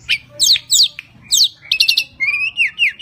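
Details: Tledekan gunung, a kept songbird from Java, singing to lure other birds: bright high whistled notes and sharp chirps in quick, uneven bursts, with short slurred phrases and a trilled rising whistle near the end.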